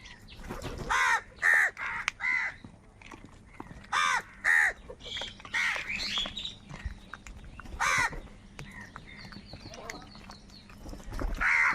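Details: Crows squabble over food with loud, grating caws, often doubled, repeated every second or two, while other birds chatter faintly behind.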